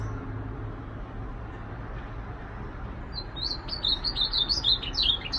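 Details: Ultramarine grosbeak singing. After about three seconds of low hum, a quick run of high, clear whistled notes begins, rising and falling in short slurred steps until the end, over a steady low background rumble.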